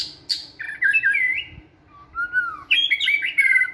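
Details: Caged white-rumped shama training in a flight cage, singing with energy: varied rich whistles sliding up and down, a low fluting phrase in the middle, then bright rapid warbling notes to the end.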